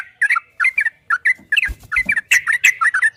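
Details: Yellow-vented bulbul in a 2023 training recording of the long, rapid 'ropel' style, meant to prompt other bulbuls to reply: bubbly, warbled phrases in short bursts with brief pauses and a few sharp clicks.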